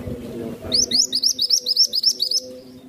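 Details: A caged songbird kept as a song-tutor bird, praised for its cool, steady voice, sings a quick run of about a dozen high, thin, upslurred whistles, roughly seven per second, over a faint low hum.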